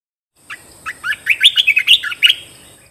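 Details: Bulbul song for training caged birds: one continuous phrase of about ten lively whistled notes, rising and falling, loudest in the middle, over a thin steady high-pitched tone.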